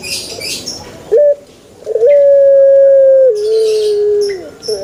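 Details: Call of a male Barbary dove, meant to set other doves calling: after a short clipped note, a long level hoot holds for over a second, steps down, and sinks away. A faint hiss is heard earlier.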